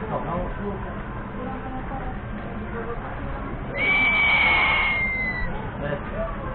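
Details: Crested serpent eagle call, one loud, long plaintive whistle that holds steady and then falls gently, lasting under two seconds, standing out above a constant low hum and distant voices.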